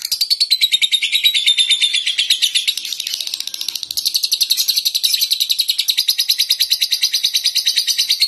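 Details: Young lovebird practising ngekek on a terrace: a long, continuous, high-pitched chattering trill of quick buzzy pulses, holding steady for over eight seconds without pause.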